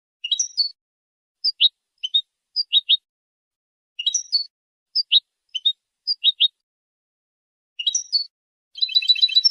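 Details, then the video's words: Goldfinch notes in a repeating pattern: a twittery cluster followed by several sharp, high chips, the sequence recurring roughly every two seconds, ending in a brief burst of buzzy trilling. "How to develop a distinctive vocal personality for your goldfinch"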